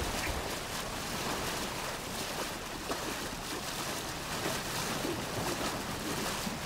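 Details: Steady rushing wind and surf-like noise fill the recording from start to end, with no animal call rising above it.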